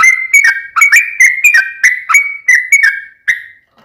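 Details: Sooty-headed bulbul singing loud chattering song intended to make another bird reply; a lively chain of clear whistled notes, each with a quick downward flick, slowing toward the end.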